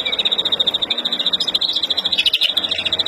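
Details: Agitated breeding song of a caged Verdune mutation European greenfinch, recorded in April 2016: a rapid, steady, high-pitched pulsed trill running throughout, with a brief burst of brighter, higher notes near the end.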